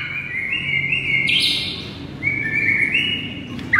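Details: White-rumped shama on a masteran track for luring: long level whistled tones stepping up in pitch, with a brief noisy burst between them.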